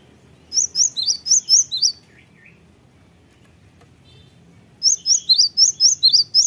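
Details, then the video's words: Cinereous Tit song used as a lure to make other birds answer: two bursts of about six loud, high whistled two-note phrases repeated roughly twice a second, separated by a quiet gap with a faint low rumble. "gelatik batu apapun 100% nyaut gacor dengan pancingan gelatik ini"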